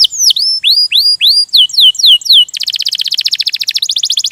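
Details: Canary singing in rolling style, meant to get other canaries singing: upward-curving whistled notes repeated at a steady pace, a few downslurs, then a dense rapid buzzing trill.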